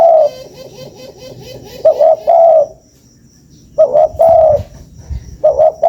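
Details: Lure call of a spotted dove. Soft rolling coos open the clip, then run into fuller phrases of two or three low hooting notes, separated by short quiet gaps.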